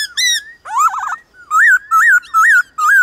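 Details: Morning singing duel between a White-cheeked laughingthrush and wild birds of its kind: a bright whistle, then a warbling wavering phrase, followed by four evenly spaced, arched whistled notes, each rising and falling.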